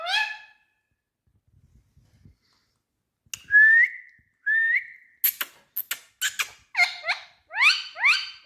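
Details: Talking green ringneck parrot from India: a harmonic, voice-like note, a silence, two upslurred whistles, then rapid clicks and scratchy bursts ending in descending speech-like syllables.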